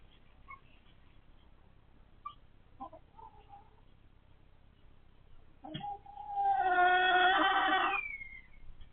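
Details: Hens grown very noisy since they began laying eggs: a few faint clucks and short notes, then a loud, drawn-out, harmonic squawk of about two seconds that tails off into a thin whine, over low background hum.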